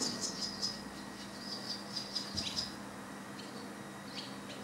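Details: Barn swallow on Korčula island, Croatia, at Zavalatica on 18 July 2017, giving quick, high twittering song chirps for about three seconds, then a few scattered notes, over a steady low mechanical hum.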